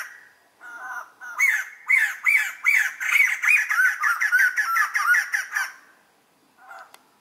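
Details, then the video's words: White-crested laughingthrush (Garrulax leucolophus) gives a loud, cackling laughing chorus: a burst of harsh, rising-and-falling notes about three per second, fading at the end. "white crested laughing thrush amazing laughing call sound"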